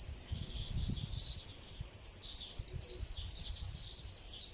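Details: A sparrow busy building its nest of palm leaves keeps up a steady stream of thin, high twittering chirps against light background noise.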